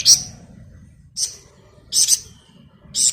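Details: Flamboyan bird calling as a training model for songbirds: short sharp high chips repeated about once a second, with a brief thin whistle between, over a soft low rumble.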